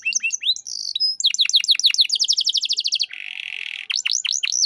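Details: Canary in full 'cengkok mewah' song, a master recording for tutoring other birds: quick high sweeping notes, then a long even series of rapid down-slurred chirps, a brief buzzy rasp, and renewed swooping whistles.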